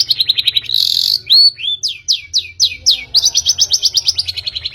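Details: Long-tailed shrike lure recording meant to prompt birds into song. Quick trilled chatter, then a buzzy burst, then descending whistled slurs repeated several times, ending in steady rapid high chips.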